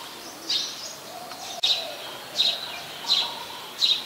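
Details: Eurasian tree sparrow, a very common resident, recorded at Ubon Ratchathani, Thailand, on 22 November 2019: short bright chirps given singly at irregular intervals, with four loud notes and a sharp click in between over steady background hiss.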